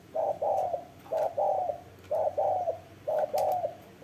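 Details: Rhythmic spotted dove cooing, each phrase a brief hoot and a longer burred note, repeated about once a second against faint background noise.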